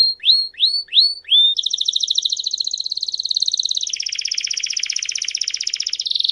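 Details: Belgian canary of the campainha type singing, for training and listening: three rising whistled notes open, then long fast buzzy trills that drop to a lower, broader roll near the four-second mark and end on a brighter trill, with no other sounds.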